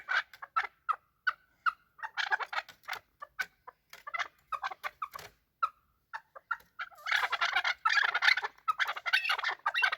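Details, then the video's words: Chukar partridge calls during a fight: spaced single clucks at first, then a sudden loud harsh burst of overlapping chatter in the last seconds. "Chakor fighting and making voices / chakor ki awaz / chakor calling / chakor voice"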